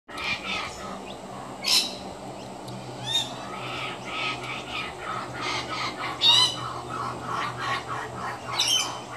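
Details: An adult Kookaburra feeding its young: harsh, rasping squawks in uneven bursts every two to three seconds, over a soft chattering background and low steady hum.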